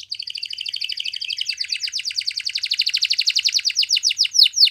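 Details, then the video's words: Spanish Timbrado canary song: a continuous rapid rolling trill of repeated notes, steady at first, then slowing into separate sweeping downward notes toward the end. "Canary Bird Singing !! Spanish Timbrado Song"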